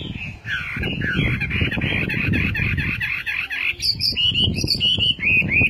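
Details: Chinese hwamei pouring out a fast run of rich warbled phrases, first lower and repeated, then jumping to higher clear whistles, against a steady hiss and rumbling background noise.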